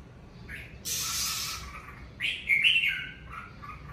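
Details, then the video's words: Red-whiskered bulbul in natural song at home in the covid season: a broad rustling burst, then a loud warbled whistle that rises and bends, followed by softer notes. "Mào ché tự nhiên tại nhà mùa covi"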